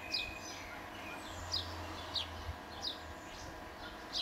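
An Italian sparrow gives about five short, bright chirps, roughly one a second, over a soft low rumble of wind or distant traffic.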